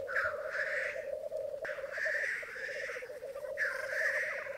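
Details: On a bog at Mykland in May 2022, twelve black grouse cocks and two hens gather at dawn lek; rolling bubbling coos persist while three or four long sneezing hisses sound in turn.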